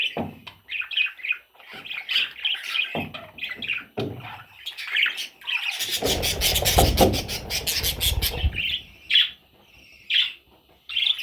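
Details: Parrot chicks give scratchy rasping calls in short bursts, interrupted midway by a loud broadband rustling noise for about two seconds, then a few high squeaks.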